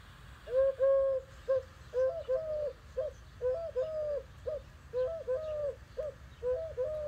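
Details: Eurasian collared dove (Streptopelia decaocto) in Utah, where it is non-native, giving its three-syllable song: soft, mellow coos with the middle note longest, repeated often about every second and a half over a faint low hum.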